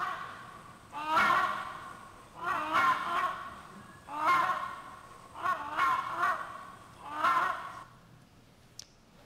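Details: Rhinoceros hornbill giving five loud, harsh honking calls, each about a second long and about every one and a half seconds, over quiet background hiss.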